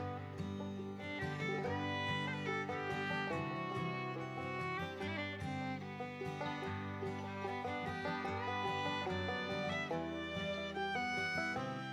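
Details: Lively fiddle and guitar music plays throughout, with no animal sound heard.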